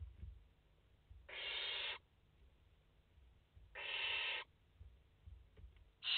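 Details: Five barn owl chicks in their nest, 29 August 2021, give drawn-out rasping hisses, two full bursts about two and a half seconds apart and a third beginning at the end, with quiet low rumbling between them.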